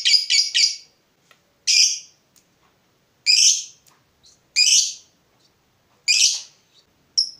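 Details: Provoked fighter lovebird: a quick triple of harsh shrieks, then single rasping screeches spaced one to two seconds apart, with silence between.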